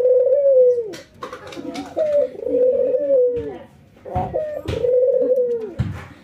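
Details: Ringneck doves trained routinely, an albino white bird versus a local one, nodding while laughing: three long wavering coos, each slightly falling at its close, separated by short gaps and soft knocking sounds.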